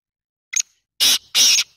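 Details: Black francolin giving its winter call, a harsh, grating call: one short clipped note, then two longer rasping notes in quick succession, with nothing else audible.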